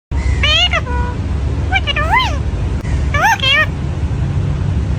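A parrot gives three bursts of nasal, wavering, voice-like calls, roughly a second and a half apart, over a steady low traffic rumble.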